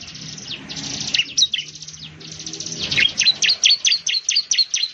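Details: Loud-voiced bar-winged prinia, found across Indonesia in plantations, paddies and leafy settlements, gives a high rapid buzzing trill, then a fast regular run of sharp downslurred chips, about two per second.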